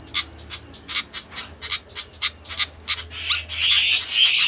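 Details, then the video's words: Noisy flycatcher (sikatan): short, thin, high whistles that arch and drop, mixed with sharp ticks, ending in a burst of harsh, scratchy chatter. "ADA APA DENGAN BURUNG SIKATAN INI KOK RIBUT"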